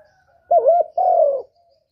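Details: A spotted dove (derkuku) gives one 'kuk 1' lure-song phrase: a wavering, bubbling coo followed at once by a long, smooth coo that slowly falls in pitch.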